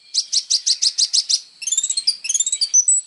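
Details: Energetic song of a kolibri ninja sunbird, meant as training material for songbirds: about eight rapid buzzy notes in a row, followed by a jumble of high sweeping whistles and chirps.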